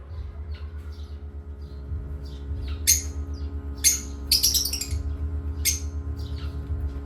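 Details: Parrots at play giving a few isolated sharp chirps and one short rattling burst against a soft low hum, with quieter faint notes between.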